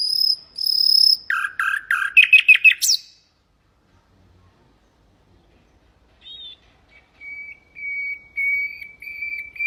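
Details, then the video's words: Nightingale song for teaching goldfinches and canaries to sing: a sustained high whistle, a burst of rapid rich notes ending in a rising flourish, then after a pause spaced, level whistles. "تغريد طائر العندليب الحسنية"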